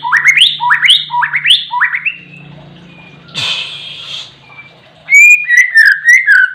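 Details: Oriental magpie-robin in active song: four rising, whistled phrases in quick succession, a short burst of rustling noise, then a fresh run of bright, slurred whistles and chirps.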